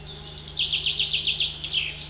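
A Red-breasted flycatcher sings a quick run of about eight high, bright, clipped notes, each dipping in pitch, over a faint low hum.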